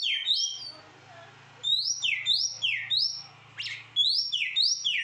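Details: Young white-rumped shama (kacer) with its tail spread, singing a rich song of loud whistled notes, many swooping down or rising, in quick varied phrases after a short quiet pause; a low steady hum runs underneath.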